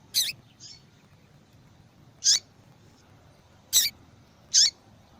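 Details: Female double-collared seedeater calling steadily to prompt male song. Crisp, high, abrupt chip notes sound one at a time at irregular intervals of about one to one and a half seconds, with faint softer notes in between.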